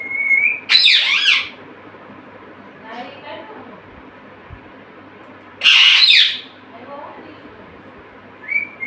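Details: Pet parrot, said to talk and say "mummy" and "papa". Two loud, harsh, broadband squawks about five seconds apart, with faint harmonic, voice-like syllables between them and a rising note at the start and end.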